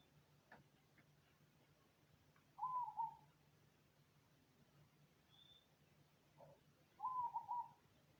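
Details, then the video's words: Cemani zebra dove's song: two brief, rippling coo phrases, the second about four seconds after the first, against quiet surroundings, a low electrical hum and a faint distant chirp. "Perkutut Cemani Manggung Jos Suara Adem"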